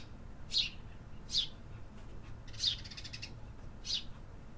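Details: City birds singing in an urban setting: short bright chirps near the top of the range, four separated notes spaced roughly a second apart, one with a brief trill, over a low steady rumble of city background noise.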